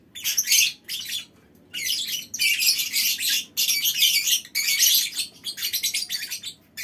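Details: Lovebirds in a colony chattering in long, loud, grating trilled bursts of one to two seconds each, shrill and buzzy, with brief silences between the bursts.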